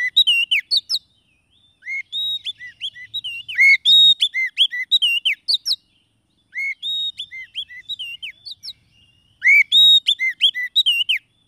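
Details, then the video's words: Lure song of the Oriental magpie-robin, for luring wild birds or stirring silent ones: repeated bursts of rich, varied whistles, sliding notes and chirps, each phrase a few seconds long with short silences between them. "SUARA PIKAT KACER PALING AMPUH"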